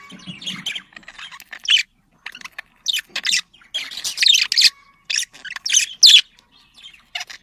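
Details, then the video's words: Mating chatter of domestic budgerigars played to encourage breeding: broken bursts of scratchy squawks and chirps with gaps of silence, and a low murmur at the start. "muhabbet kuşu kızıştırma sesi muhabbet kuşu sesi muhabbet kuşu çiftleştirme sesi صوت تزاوج طيور الحب"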